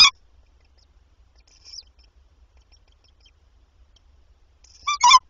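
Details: Tawny owls at a nest with three young at night on 29 April, as the parents deliver mice, give two short, harsh, squeaky calls about five seconds apart, with a faint high squeak between them.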